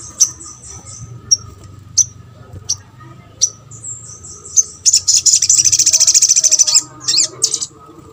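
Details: Sunbird calling to spur other birds into answering: isolated sharp high chips spaced about a second apart, then a long fast buzzing trill and a few closing notes.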